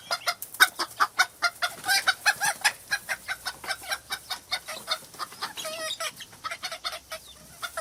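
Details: Chicken clucking in a farm henhouse: a long run of short, dry clucks repeated roughly three times a second, with one drawn-out, wavering call partway through.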